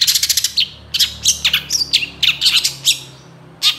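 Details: Long-tailed shrike, loud and energetic, delivering shot-like 'tembakan' fill phrases as a training recording: a quick stutter of high ticks followed by varied sharp chirps and squeaky notes in rapid succession.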